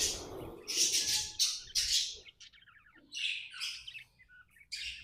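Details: Happy tame budgie gives loud, harsh, grating chirps in clustered bursts separated by short quiet gaps.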